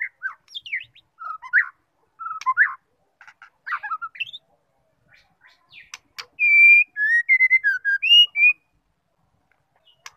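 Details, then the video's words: A female white-rumped shama gives varied chattering notes, then a run of clear fluting whistles rising and falling around mid-range, with sharp clicks between phrases. "MURAI DISITU NGAMUK DENGAR SUARA MURAI BETINA INI"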